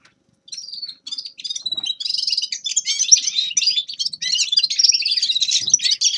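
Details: Grey-crowned goldfinch song opening with a few thin, separate whistled notes, then building into a lively, continuous twittering warble.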